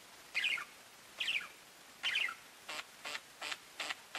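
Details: Pet budgies give three separate warbled chirps about a second apart, followed by a series of shorter, harsher clicking notes.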